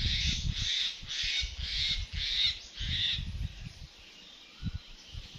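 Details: Black francolin, also known locally as kala teetar, giving a harsh, grating call: about six rasping bursts in quick succession over three seconds, then quiet. A low rumble of wind or handling runs underneath.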